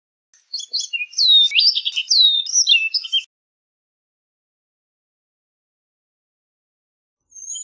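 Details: Orchard oriole singing a fast, rich warble of slurred whistles and quick chatter notes for nearly three seconds, followed by silence and a short high whistle at the end.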